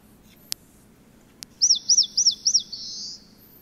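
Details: Eastern crowned warbler, a warbler relative, singing: two faint clicks, then four quick high looping notes followed by a short buzzy drawn-out tail, the phrase rendered as 'shōchū ippai gui'.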